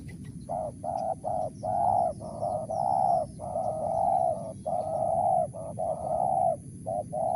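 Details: Spotted dove calling in the Mersik, Tukang Keliling style: mellow mid-pitched coos in short-then-long pairs, about nine phrases, steady over a low rumble of background noise.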